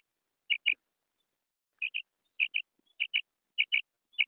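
A female quail calls in quick pairs of short, high, squeaky notes, each pair repeated about every half second, with nothing else heard.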